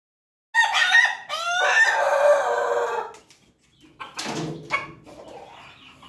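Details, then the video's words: A pelung-ketawa (Bangkok) crossbred rooster in Yogyakarta gives one long crow of nearly three seconds: a few short broken notes, then a drawn-out wavering tone, followed by rougher, noisier sounds. "ayam pelung ketawa bangkok persilangan ayam berkokok"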